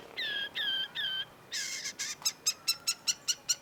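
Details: Long-tailed shrike (cendet), in a lure recording for non-singing shrikes: three drawn-out, nasal notes, then a fast series of short, clicking pulses about every fifth of a second.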